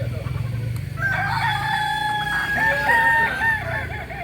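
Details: Purebred Kokok Balenggek rooster from Solok, West Sumatra, crowing: a long harmonic crow held near one pitch with small stepped shifts, over a steady low hum and faint busy background calls.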